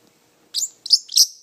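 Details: A pet parrotlet talking: three quick, squeaky, high-pitched syllables in under a second, imitating spoken words such as "pretty bird".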